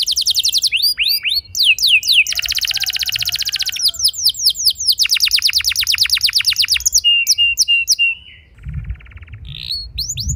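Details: Canary lure song for prompting other canaries to roll: long dense buzzy trills and runs of quick repeated swept notes, a steady whistled tone, then a brief pause and a low rumble near the end.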